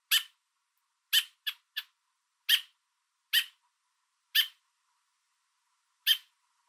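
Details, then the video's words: In Southern Ontario, Canada, a fence-perched American robin carrying food for its fledgling gives loud repetitive calls to warn off an intruder. Eight or nine short, harsh chirps come roughly once a second, some in quick pairs. "American Robin Calling Its Fledgling On a Fence With Food In Its Beak"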